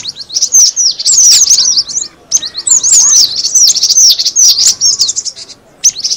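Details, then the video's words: Cinereous tit call for luring birds: bright high twittering in bursts separated by brief quiet gaps, with notes crowding together in the loudest stretches. "suara pikat burung gelatik batu"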